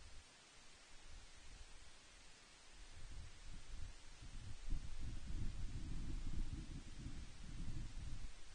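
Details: Steady low rustle and wind buffeting at a lochside osprey nest, swelling in the second half, with no animal voices.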